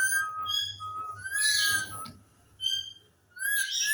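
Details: A parrot kept for its whistling repeats clear tonal whistle notes, one rising, mixed with a brief harsh, noisy squawk and short, bright squeaks near the end.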